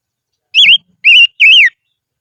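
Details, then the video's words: Highland decoy silver-eared mesia giving three clear, loud whistled notes, each wavering up and down, spaced about half a second apart against a quiet background. "Chim Ngũ Sắc Mồi Hót Trên Vùng Cao"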